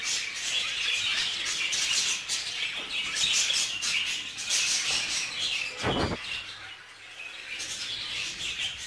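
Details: Group-kept budgerigars, a male showing jealousy over a female: steady high twittering and chirps from several birds, a single low thump near the six-second mark, and the chatter softening toward the end.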